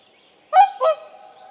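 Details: Whooper swan with young, Tāši, Latvia, 15 May 2024: two loud nasal honking notes close together, the second lower, a long tonal hum trailing after.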